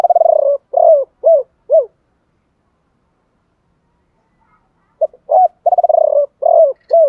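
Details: Spotted dove lure bird cooing in the 'gọi ba hậu' style with a 'thổ pha' voice: low, hollow coos, a short rolling stutter, then three arched notes, a three-second silence, and a second similar phrase.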